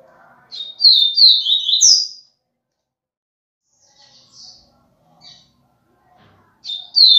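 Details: Double-collared seedeater in viviti-style song: a loud phrase of quick slurred whistles ending on a higher note, then scattered faint chirps, and a new loud phrase beginning at the end.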